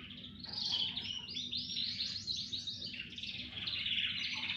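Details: Chorus of canaries singing: continuous bright, high warbling made of quick trills and rolling phrases that rise and fall, with several birds overlapping throughout and a faint low hum behind.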